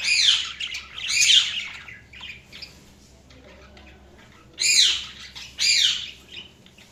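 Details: Budgerigars chirping: bursts of harsh, buzzy, rising-and-falling chirps in short clusters, with quiet gaps between, the strongest bursts near the start and again toward the end.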